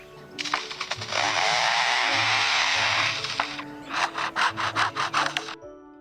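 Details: A superb lyrebird in forest along Australia's southeast coast imitating a chainsaw: a steady, rasping, engine-like roar for about three seconds, then a rapid series of sputtering, revving bursts, with faint music underneath.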